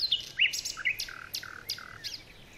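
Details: Baya weavers giving a quick run of sharp chirps and short buzzy notes, closely spaced and uneven in loudness, over faint background hiss.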